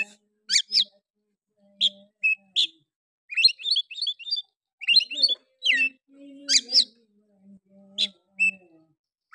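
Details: Oriental magpie-robin singing harshly, played to stir other males: scattered sharp whistles and rapid twittering bursts of high notes in irregular phrases, with faint low hum beneath.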